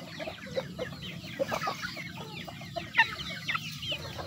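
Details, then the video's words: Chickens eating, with quiet intermittent clucks and a few sharp high chirps standing out above continual scratching and pecking sounds. "The sound of chickens eating."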